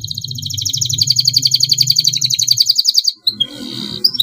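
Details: Long rolling canary song meant as a training master: a dense, rapid high trill held for about three seconds, then a short buzzy phrase and a rising whistle, over a steady low hum.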